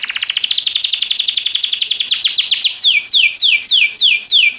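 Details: Canary song used for training young canaries: fast rattling trill of rapid repeated notes, then a series of descending swept whistles repeated about twice a second.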